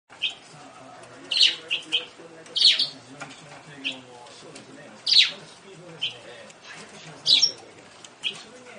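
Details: Japanese quail giving short, sharp, high chirping notes, singly and in quick pairs, spaced irregularly about one to two seconds apart, over a quiet background with faint low murmuring.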